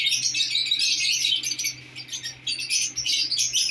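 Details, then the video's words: A newly placed lovebird pair keeps up a busy stream of high, rasping chirps and twitters, dipping briefly in the middle, over a faint steady low hum. "love birds k new pair lagay."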